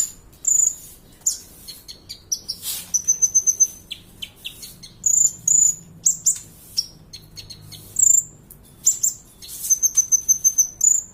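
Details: Kolibri ninja sunbird song used as a tutor recording to teach other birds to sing: very high, thin whistled notes and short sharp chips in quick bursts, some notes in rapid repeated strings, with brief pauses between phrases.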